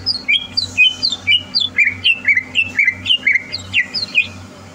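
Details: Greater green leafbird readied for a singing competition gives a regular series of clear slurred whistles, about two per second, each bending down then up, over a soft low hum.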